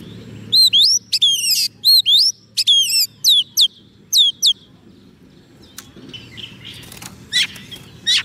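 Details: Soft-food-fed White-rumped shama singing to lure wild birds: a rapid series of clear, upslurred whistles with buzzy attacks for four seconds, then fainter scratchy notes and a low background hum.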